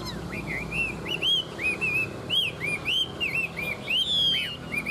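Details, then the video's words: Tame Chinese hwamei singing well: a steady run of clear slurred whistles, each note arching up and down, delivered roughly twice per second with a faint low hum in the background. "Họa mi thuần hót tốt"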